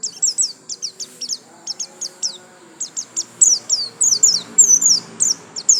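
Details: White-eye pouring out a 'gacor lasroll' song: a rapid, nearly unbroken run of high, sharp chirps and downslurred whistles, roughly two per second, growing louder and more tumbling toward the end.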